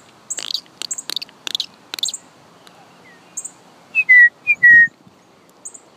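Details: A finch (possibly a cardinal) gives a quick series of dry, scratchy chips, then four clear whistled notes, each slurring downward, about half a second apart.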